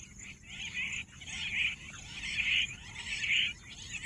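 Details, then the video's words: Pahadi Bater, the bush quail, repeats rough, harsh calls about once a second in a swelling and fading rhythm. Faint high insect hiss continues underneath. "Bush Quail sound Pahadi Bater"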